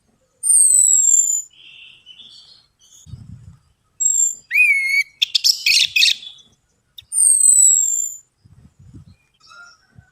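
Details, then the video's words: Lure recording of an orange-headed thrush to provoke singing: long high falling whistles, a looping rising note, a dense scratchy jumble, then more whistles, with faint low knocks between phrases. "DENGAN PANCINGAN ANIS MERAH AMPUH INI, ATASI SUSAH BUNYI ANIS MERAH"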